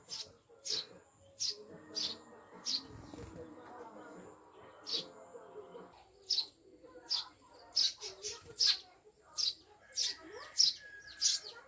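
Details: Newly acquired pet maya, Eurasian tree sparrows from the mountains, kept caged, give a long series of around twenty high chirps, growing quicker toward the end, while people talk quietly in the middle stretch.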